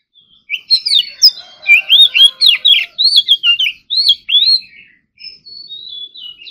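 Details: Oriental magpie-robin in morning singing practice, competition-style song: a quick run of loud, slurred whistled notes rising and falling, densely packed for about four seconds, ending in thinner, drawn-out high whistles.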